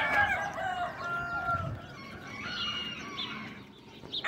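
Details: Bantam chicken crowing: a strained, harmonic crow falling slightly over the first second and a half, followed by fainter, broken calls over a noisy background.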